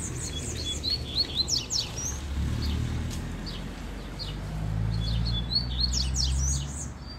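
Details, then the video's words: Two double-collared seedeaters singing in the wild, one ahead and one behind, trade quick, high twittering phrases of short chirpy notes over a steady low rumble of wind and handling noise. "Encontramos 2 Coleiros Cantando"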